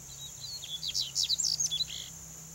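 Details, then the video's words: A male Double-collared Seedeater (Sporophila caerulescens) sings a fast, twittering phrase of high, sweet notes and quick slurs, rising into a brighter burst before trailing off, over a steady background hiss. "CANTO do COLEIRINHO macho, PAPA-CAPIM, (SPOROPHILA CAERULESCENS), DOUBLE-COLLARED SEEDEATER"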